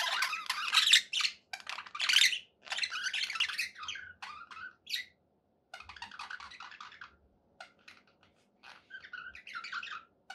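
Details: Budgerigar chatter opens loud with harsh, buzzy squawks, then softens into scattered chirps and short warbles with quiet breaks.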